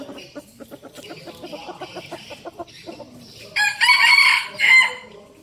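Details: Rapid series of soft clucks, then an abrupt, piercing crow in two bursts from a captive red junglefowl used as a decoy in Bình Phước, Vietnam.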